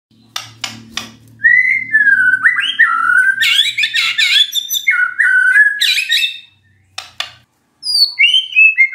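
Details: Magpie-robin song played as a lure to make a silent bird answer: a few sharp clicks, then a long run of loud whistled, slurred phrases with quick buzzy trills, pausing briefly before more high whistles.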